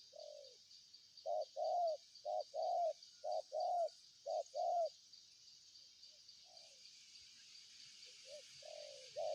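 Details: Spotted dove cooing: a phrase of soft, hollow coo notes, one short and then paired longer ones, repeated three times in quick groups, then quieter distant coos; a steady high insect hum runs throughout.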